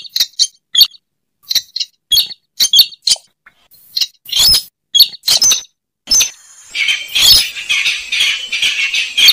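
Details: Slaty-breasted rail lure call: short bursts of sharp, clipped, high squeaky notes separated by brief silences, ending in a denser, harsh rasping stretch.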